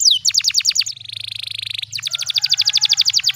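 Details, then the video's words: Canary pancingan tutor song with special cengkok phrasing: a quick series of descending notes, a steady buzzy roll, then a rapid even trill of sharp high notes, about eight per second. "PANCINGAN KENARI BAHAN CENGKOK ISTIMEWA"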